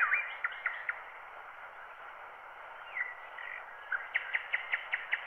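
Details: Wild bird song on a black wax cylinder at 90 rpm, taken from a microphone recording: scattered chirps and slurred notes at first, then a closing string of six quick, evenly repeated chirps, over continual muffled hiss.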